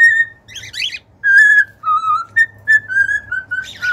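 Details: Cockatiel song of clean whistled notes, held level or gently falling, about eight short phrases with two raspy chattering bursts mixed in, inside a quiet room.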